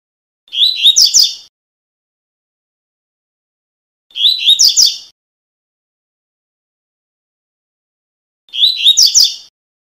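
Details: Tuí tuí song of a double-collared seedeater, a style used to teach young birds: three quick bursts of bright, high twittering notes, each about a second long, repeated roughly every four seconds against a silent background.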